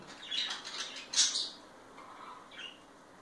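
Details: Parakeets being affectionate with each other give soft, scratchy high chirps and one louder squawk, then a couple of faint, lower chattering notes in a quiet indoor room.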